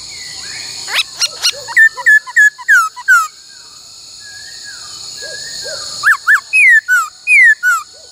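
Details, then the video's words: Laughingthrush singing during song training in the many-voiced 'bắt cô trói cột' style: loud, clear whistled notes, some sliding down, some rising, in rapid bursts, a pause with faint soft whistles, then another run of ringing slurred whistles over a steady high hiss. "Luyện khướu hót bắt cô trói cột , luyện hót nhiều giọng cực hay"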